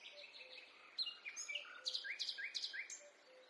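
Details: In a forest, a bird repeats a quick upslurred chirp about three times a second in a short rhythmic run, amid other high twitters and soft low whistled notes.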